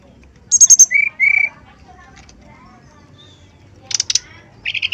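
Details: A male brown-chested jungle flycatcher sings a lure song meant to stir rival males. A quick high trill is followed by two level whistled notes, then a quiet gap and short bursts of sharp, high buzzy trills.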